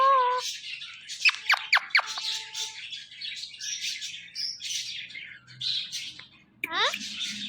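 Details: Male pet Indian ringneck parakeet talking: a nasal harmonic note, a burst of sharp descending squeaks, rough hissy chatter, then a rising whining sweep near the end.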